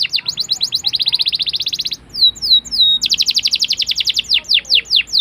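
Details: Domestic canary singing a long rolling song used as a lure to teach young canaries; fast trills of repeated high notes, a run of downslurred whistles, then quick buzzy trills continuing.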